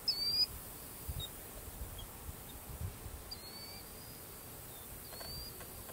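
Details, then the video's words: Least sandpiper at Cane Creek Park, Union County, North Carolina, in August 2019, giving three thin, high, slightly rising trilled notes spaced a few seconds apart, over a steady low rumble of background noise. "Least Sandpiper"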